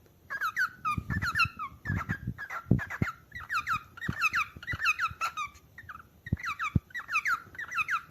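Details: Cockatiel calling with insistent clusters of sharp, descending chirps, repeated in quick irregular bursts throughout, mixed with occasional clicks and knocking in a small indoor space.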